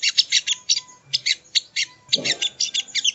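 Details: Training song of a crimson sunbird, locally sogon or sogo ontong: quick, sharp, high-pitched chirps, roughly five to six per second, running without a break. A brief muffled low sound comes in near the middle.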